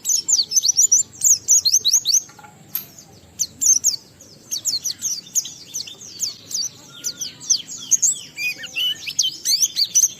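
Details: Oriental white-eye (pleci) delivering gacor 'ngalas' song with continuous 'isian' material to provoke other pleci into song; dense runs of sharp high chirps in bursts, with a brief lull around four to five seconds.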